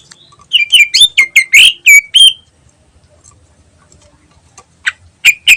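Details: Greater green leafbird singing in a lively ngentrok style as a lure: a quick run of loud whistled and chattering notes lasting nearly two seconds, then a pause and a few more sharp notes near the end.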